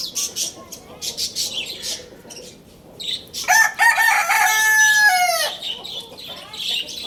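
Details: Rooster of the Lohmann Brown breed at Lalukhet bird market, crowing: scattered sharp chirps of small birds open, then a single loud, rich crow swells and holds about two seconds before breaking off, followed by more faint chirping.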